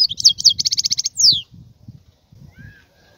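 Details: Brief burst from a wild European goldfinch: a fast series of bright repeated chirps followed by a sweeping downslurred note, then the song stops, leaving soft low rumbling and a faint thin whistle.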